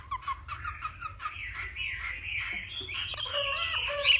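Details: Hwamei from Northwest Vietnam singing in a contest, morning voice training: a string of short repeated notes leading into varied warbling and sustained whistled phrases that grow louder.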